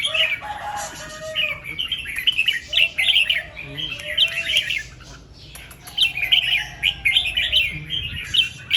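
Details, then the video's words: ["Red-whiskered bulbul in the morning giving its doubled, two-to-three-times 'rik' song: near-continuous bubbly warbled phrases in two long runs, over steady background hum and faint lower whistles."] "เสียงนกกรงหัวจุก ร้องเบิ้ล2-3 ร้องริก"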